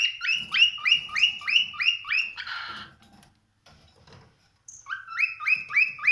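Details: Cockatiel calling in a steady run of sharp, upward-sweeping whistled chirps, about three per second, interrupted by a rough noisy burst and a quiet gap before the chirps return.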